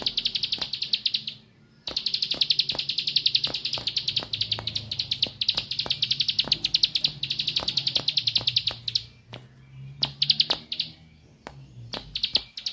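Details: {'caption': "Bar-winged prinia singing in the 'nembak' style: long, dense, buzzy high trills of rapid repeated notes, broken by a short pause after about two seconds, with sharp clicks ticking through the song."}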